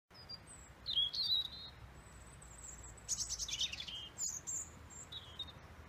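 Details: A male European robin in Roslin Glen sings in short, varied phrases of thin high whistles and quick liquid trills, broken by brief pauses, over faint low background rumble.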